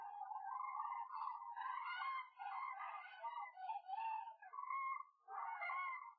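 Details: Cranes gliding over cultivated fields in search of food at the Gallocanta lagoon, Spain; a chorus of loud, overlapping trumpeting calls in rolling bursts, with brief pauses near two and five seconds.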